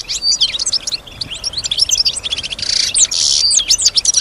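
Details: Caged European goldfinch that imitates sounds around it, including other birds and human noises; continuous high, fast twittering of sharp chirps with a brief buzzy, hissing patch midway.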